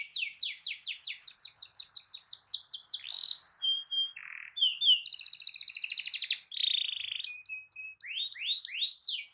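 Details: Canary song in a long rolling style, used to trigger singing in other canaries: quick descending repeated notes, short whistles, then a dense buzzy trill and sharp chirps in rapid sequence.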